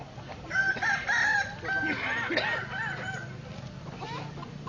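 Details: Staked on the ground at a Solok crowing contest, a Kukuak Balenggek rooster utters a quick, cluttered series of high notes with overlapping lower crows from other birds, then fades to low humming and murmured speech.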